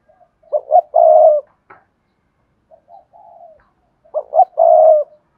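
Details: Spotted dove with a hạp bổi voice delivering Cườm Sa style song: two loud phrases of short rising coos ending in a long steady hoot, separated by softer low murmuring notes.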